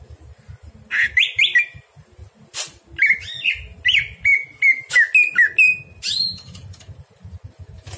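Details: A greater green leafbird sings at night, a quick, varied run of rising whistles and sharp chips around two to four kilohertz, several phrases in a few seconds, with low background rumble.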